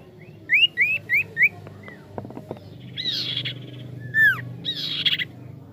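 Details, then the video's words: Caged Javan pied starling being trained to build its nerve: a run of four quick rising whistled notes, then clicks and rattles, harsh buzzy bursts, and a loud down-slurred whistle near the end. "Melatih Burung sirtu agar mental dor"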